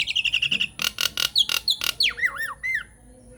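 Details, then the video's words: Nias hill myna song used as a lure or training recording to get other mynas to answer: a run of quick piping notes, harsh broadband squawks, then looping whistles sweeping down and up. "SUARA PANCINGAN JALAK NIAS GACOR BIKIN JALAK MACET LANGSUNG NYAUT"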